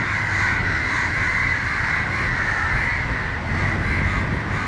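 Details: Crows in Matara, Sri Lanka, shouting at a dog to protect a crow struggling on the ground. A dense, continuous chorus of harsh overlapping caws is heard with steady low traffic rumble beneath.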